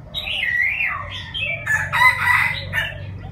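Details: Six-month-old Chinese francolin practising its crow: a run of hoarse, wavering notes, then a louder grating burst, over a low steady hum.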